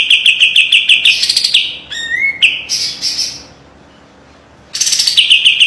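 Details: Kapas tembak white-eye master song, sharp and tightly trilled: rapid high chirps, scratchy notes and a rising whistle, a long silent gap, then the fast chirping run starts again.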